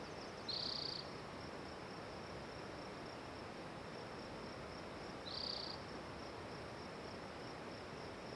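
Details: Spotted towhee singing two short, high buzzy trills, one near half a second and the next about five seconds later, each under half a second long, over continuous background hiss.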